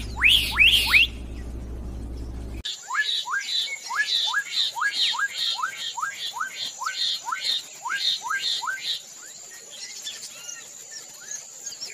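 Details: Black-capped donacobius pouring out a long run of about fifteen loud, upward-sweeping whistled notes at a steady quick pace, fading toward the end, with a persistent high insect whine in the background.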